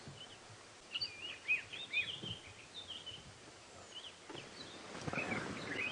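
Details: A Dark-capped (black-eyed) Bulbul on a morning safari drive at Djuma Game Reserve, South Africa, about 8:00 AM on 26 July 2016, gives short bright chirps and liquid whistled notes in bursts over steady hiss, rustling and low rumbles.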